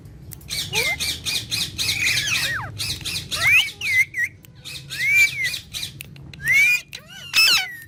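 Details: Green talking parrots playing together; harsh, harmonic squawks and bent whistled notes come in bursts about every second, loud and close, in a small room.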